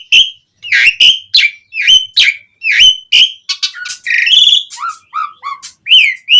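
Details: Asian pied starling singing vigorously with a full repertoire of fill-in notes, used as a lure for starlings: a run of loud clear rising-falling whistles about twice a second, then varied shorter, lower whistled phrases and harsh notes.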